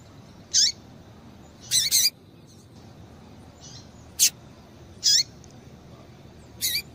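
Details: A female double-collared seedeater gives calls to excite males: short high, sharp notes, some doubled, at uneven gaps, several ending in a lower tail, with faint hiss behind.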